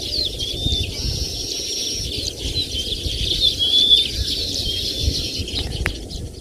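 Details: Baya weaver birds giving thin high chattering notes with a couple of clear whistled slurs in the middle, over a steady low rumble of wind-like background noise.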